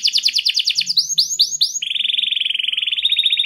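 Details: Lively canary with a clear voice, singing to coax quiet canaries into song: quick repeated high notes, three arched whistles, then a long fast buzzy roll.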